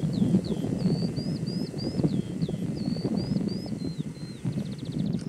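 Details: Eurasian skylark (Alauda arvensis) singing at Alto de las Nieves, Cantabria, Spain: a fast, unbroken run of high, chirping and slurred notes against a heavy low wind rumble.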